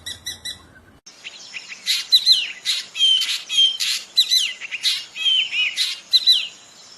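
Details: Black drongo singing in nature: a varied, busy stream of harsh rasps, chattering notes and short sliding whistles, delivered almost without pause after a brief run of ringing notes.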